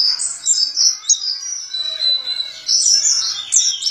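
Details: White-eye (Zosterops) delivering its ngalas ngeroll song: fast, sweet, high twitters and short sliding whistles in a busy, continuous stream over a quiet background.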